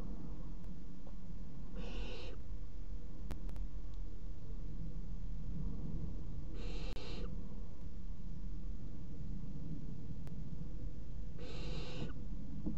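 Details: Barn owl young, three of them, eating a mouse simultaneously at 01:30, 30 June 2016. Short, rasping hisses about every five seconds, each roughly half a second long, over a steady low rumble with faint clicks.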